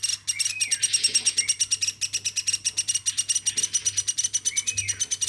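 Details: Woodpecker reared by hand from a chick, calling continuously indoors; rapid even series of high buzzy pulses with a thin steady tone above, and two faint rising-falling whistles mixed in.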